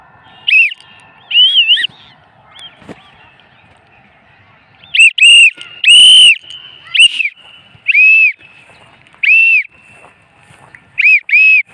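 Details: Free-flight-trained lutino cockatiel, attacked by a kite and a house crow during its flight, gives loud, ringing, arched whistles, single or paired, at irregular intervals.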